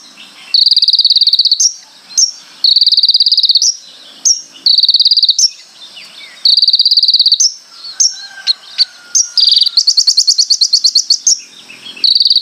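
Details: Energetic konin song full of imitations and rapid bursts: a string of even, high, rattling trills about a second each, then scattered sharp notes and a higher, faster pulsed run.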